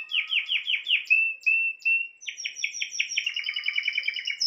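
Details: Spanish timbrado canary: a string of rapid downslurred notes, short steady whistles, then a fast pulsing trill with a high thin tone above it.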